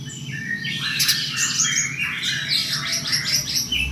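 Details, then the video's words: Spiderhunter, locally pijantung gunung, in a fast run of high, jumbled whistled notes, rising and falling quickly in dense chattering sequences over a steady low hum. "pijantung gunung"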